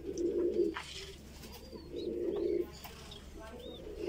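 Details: Chick of the Voorburg Shield Cropper, a fancy pigeon breed from the Netherlands, during feeding: two long, throbbing low coo-like bursts separated by quieter stretches, with faint high whistled squeaks in between, indoors.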